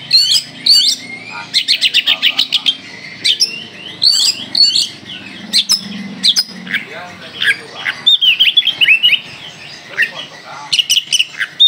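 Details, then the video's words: Kalimantan Oriental magpie-robin in full tembakan song pours out rapid strings of sharp repeated notes, interspersed with sweet whistled slurs and brief chatters, barely pausing throughout. "Kacer Kalimantan gacor full tembakan"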